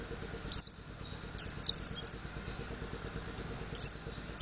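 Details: Mountain white-eye practising ngriwik and ngeplong singing: high thin whistles and a short burst of rapid chirping twitter, ending with another sharp note, over a low background hum.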